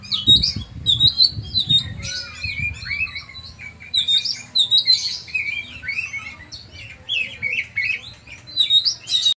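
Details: Oriental magpie-robin kept as a hobby bird in full song: a rich, varied stream of high whistles, rapid chirps and sharp trills in bursts with brief pauses, plus some low knocking thumps near the start.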